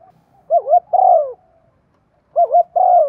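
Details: Spotted dove urging call meant to quickly set other doves cooing; two low phrases, each a quick wavering double note followed by a long mellow falling coo, separated by a second of near silence.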